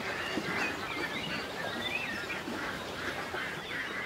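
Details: Several loud, nasal quacks and honks from ducks gliding on a country lake, coming in quick irregular bursts over constant ambient noise, with faint twittering songbirds mixed in behind.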